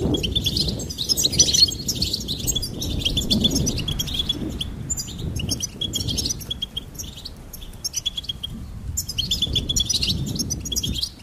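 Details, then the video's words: Goldfinch song: long runs of high, tinkling chirps that pause now and then and start again, over faint low background noise. "Charming Goldfinch Peep"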